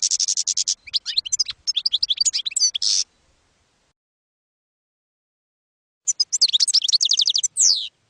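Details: European goldfinch singing campero-style (field) song, used to tutor young goldfinches: rapid, high tinkling twitters and buzzy trills in two bursts separated by about three seconds of silence.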